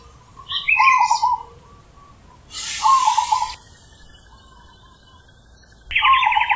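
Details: Zebra dove singing with a deep, full voice: short warbled cooing phrases near one pitch, delivered three times at uneven intervals. Higher chirps from other birds and a brief hissing burst sound in between.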